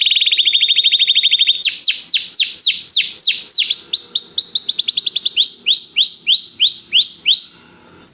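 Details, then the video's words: Canary song meant to train and stir a pet canary into singing: opens with a rapid even trill, shifts into repeated descending whistled sweeps, a brief higher rattling trill, then slower sweeping notes fading out. "Este canto canário inspira o apetite do seu canário para cantar imediatamente"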